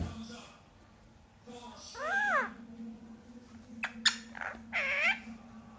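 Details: Indoor pet Indian ringneck, aged six months, producing scattered speech-like utterances: an arched, nasal syllable, then a couple of sharp clicks and a short, wavering voiced phrase, with steady electrical hum behind.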